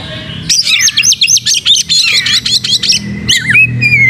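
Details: Kacer (Oriental magpie-robin) in gacor song with open tail, used as pancing lure: a rapid run of about fifteen sharp high notes, then twisting whistles and a long level whistle, over soft low background hum.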